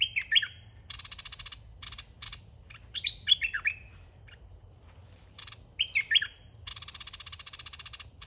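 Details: Red-whiskered bulbul kept in a cage as a decoy for luring young wild birds. It gives three clear, lilting, whistled phrases that dip and rise, with loud rhythmic pulsing rattles filling the gaps between them.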